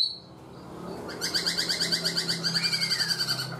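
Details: Caged for four months, a black-throated laughingthrush gives a fast, even trill of high, pulsing notes, about three per second, ending with a long downward whistle, over a constant low hum.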